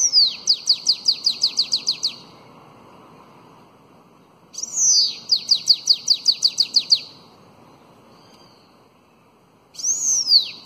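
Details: Bananaquit 'belga alongado' song played for training fledgling bananaquits: bursts of about ten high, quick descending slurred notes separated by pauses. A third phrase begins with a long arching whistle, over a low steady background hum.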